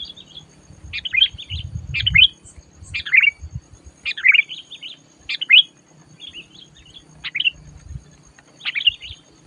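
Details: Sooty-headed bulbul at a trapping lure, calling eagerly and fiercely: a steady series of short, lively chirped phrases, each a quick burst of rising and falling whistled notes, about one per second, with faint low rumble beneath.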